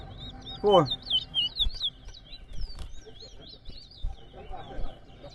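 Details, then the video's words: Competition towa towa at Rosignol, Berbice, Guyana, in round 2 delivers a burst of bright, high, looping whistles, then a thinner run of chirps, while a loud voice calls out and people talk nearby. "TOWA TOWA BIRD COMPETITION"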